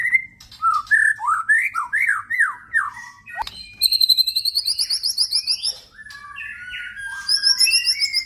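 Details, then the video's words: Loud song from a male crossbred white-rumped shama (F series): zigzag whistled phrases rising and dropping, then a high, fast rattling trill and more varied warbling. "murai batu hasil silangan F series"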